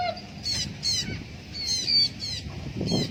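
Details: Blue-backed parrot in free flight calling with rough, nasal squawks roughly every half second, some paired, over soft outdoor rumble.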